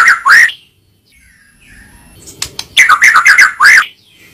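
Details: White-rumped shama, known as murai batu, in masteran song: two quick looping whistled notes, a long quiet pause with a faint click, then a fast series of repeated looping whistles.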